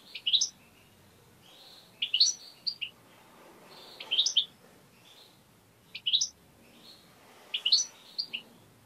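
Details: Pet European goldfinch singing strongly in a home setting: repeated short phrases of sharp, rising twittered notes about every two seconds, with low steady background noise.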